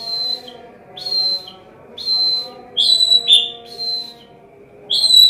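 A White-rumped shama mimics a prinia with clear, high whistled notes about once a second, some with sharper upper flourishes, over a faint steady low hum.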